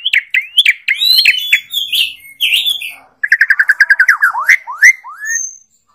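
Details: Asian pied starling mixing squeaky warbles and whistles, then a fast even run of clipped notes and several upswept whistled slurs.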